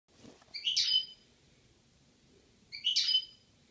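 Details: European goldfinch pair in Algeria, 2016: two short bright twittering calls with stacked tones between 2 and 8k, about two seconds apart, over quiet low background hum.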